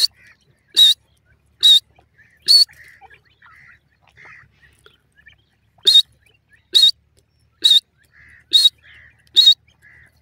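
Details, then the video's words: Partridge voice at a cage with a surprised female bird perched on top; three shrill whistled calls, then a quiet pause with soft low notes, then five more loud calls at a regular pace. "female pheasant sits on the cage and is surprised,partridge voice"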